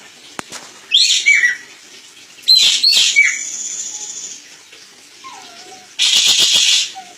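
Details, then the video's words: Crested jay on a training master recording: harsh squealing notes and a sustained high buzz, a faint low whistle, then a loud, fast, dry rattling burst near the end. "Masteran burung ekek keling"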